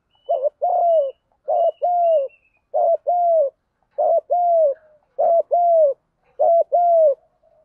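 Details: Spotted dove in the giọng đồng voice, cooing continuously in fighting style to lure wild doves: six phrases in steady succession, each a short two-part note followed by a drawn-out, slightly descending coo, about one phrase per second.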